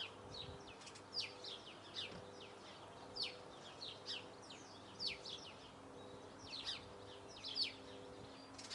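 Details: Eurasian blue tit song of high, quick downward-sliding notes scattered through the stretch, some brighter peaks, with a soft low hum beneath.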